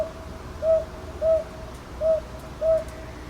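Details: Recorded in Ichijoji, Sakyo Ward, Kyoto on 22 May 2023 using a TASCAM DR-100MKIII, a northern boobook gives four rounded hoots, the gaps alternating shorter and longer, against quiet night ambience.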